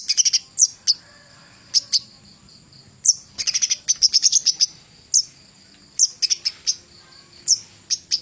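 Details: Javan cochoa song, used as a master recording for training songbirds; very high, thin chirps given singly or in quick clustered bursts, with a faint steady high tone and low background hum.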